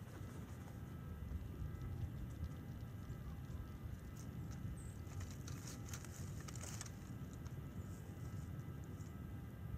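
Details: Steady low wind rumble with a few faint clicks and knocks at an eagle nest; no animal voice is heard.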